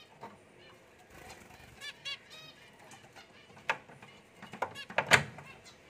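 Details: Newly paired zebra finches giving a few short, nasal, toy-trumpet-like beeps in a quick cluster, with scattered clicks and rustling around them.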